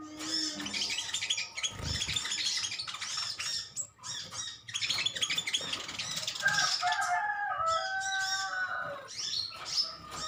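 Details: In a sunbird colony, metallic green birds chatter at each other. Fast, high squeaky twitters run continuously, with some lower, clearer piping notes toward the end.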